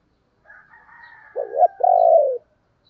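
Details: Decoy spotted dove cooing: a wavering low note followed by a long, even, falling coo, heard over a faint rooster crow in the background.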